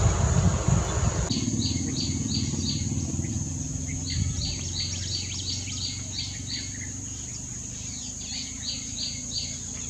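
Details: White-naped tit in India, boldly foraging in acacia and picking out caterpillars: bursts of short, sharp, high chirps in quick clusters and runs, set over a steady low background hum.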